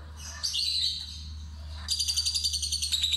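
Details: Lovebird of the fighter type tested with a lure to draw out a long ngekek song: a sharp squeaky note with a falling whistle at first, then a fast high pulsed trill starting midway, with constant low humming underneath.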